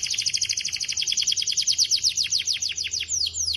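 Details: Energetic canary giving clear song intended to draw responses from rival canaries: a continuous rapid high trill whose notes slow and broaden into distinct downward-sweeping chips near the end.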